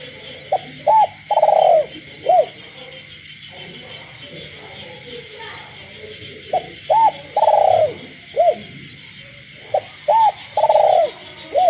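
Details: Pet spotted dove cooing repeatedly at night in rural surroundings. Three similar phrases of short note, arched hoot and a drawn-out rolling coo follow one another, with frogs droning steadily behind.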